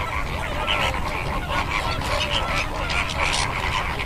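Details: Many greater flamingos calling together: repeated goose-like honks and grunting notes, some louder bursts standing out from the constant crowded gabble, over a low rumbling background.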